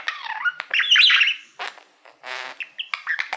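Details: Male pet budgerigar singing to a silver plaque used as a mirror indoors; a sliding whistled note, then squeaky chirps and a harsh buzzy rasp amid quick chatter.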